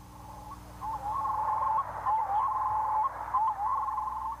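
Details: Red-throated Loon call heard in the red-throated loon section of a guide to four North American loon species: a steady mid-pitched wail broken into wavering, slurred segments, with brief rising inflections and a faint low hum underneath.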